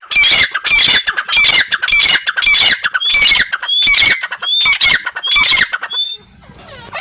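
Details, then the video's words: Loud, grating partridge calls, known locally as teetar, repeated in an uneven rhythm near two per second. Each burst mixes rasping noise with bright whistled tones, then the series ends abruptly. "Teetar awaz | Teetar sound | Teetar voice | Teetar ki awaaz"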